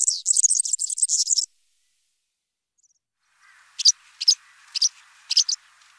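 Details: European serin song for tutoring young birds: a short burst of high, fast jingling notes for about a second and a half, then silence, then a few separate sharp high chirps over a faint low hum.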